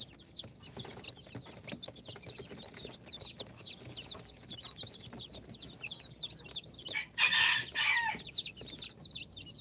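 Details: Newly hatched incubator chicks, Sultan, Golden Sebright, Cochin and booted breeds on day four, peep in rapid high looping notes, about two per second, broken near the end by a brief loud harsh burst.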